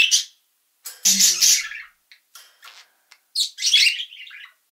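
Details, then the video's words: Parrotlet voice: bright, high chirps and rasping chatter in short bursts, one scratchy squawk, then faint ticks and a final warbling chirp sequence, nothing else heard. "PARROTLET | VOICE"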